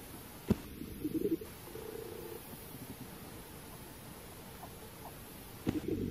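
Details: Grey go-away-bird (Crinifer concolor) at Zaagkuilsdrift, South Africa, on 4 Dec 2022, giving low, harsh, nasal calls in short bursts with a drawn-out note between them, over a quiet background.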